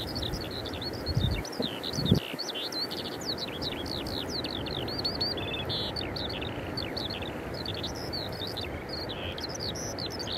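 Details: Singing wild Eurasian skylark at Eyemouth on 30 May 2024, recorded with a Canon EOS 90D: a continuous high stream of rapid warbled, chirping and trilled notes, with low rumbling wind or traffic noise underneath.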